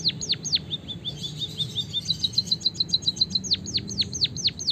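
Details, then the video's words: White-headed munia of Java singing canary-like rolling phrases. Steep falling whistles lead into a soft run of short notes, then a rapid bright trill, and end with a series of loud downward swoops. "suara burung emprit peking bondol kaji gacor isian kenari ngeroll panjang"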